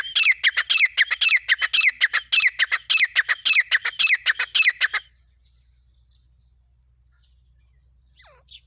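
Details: Female grey francolin from Pakistan in non-stop calling, loud harsh ringing notes in a fast steady series for five seconds, then quiet with a faint downslurred whistle.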